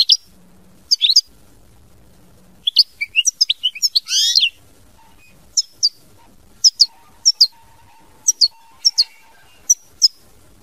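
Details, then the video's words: Goldfinch in mama binette song style giving scattered high chirps, a short buzzy rising phrase near the middle, then evenly spaced sharp double notes. "Chant Chardonneret mama binette"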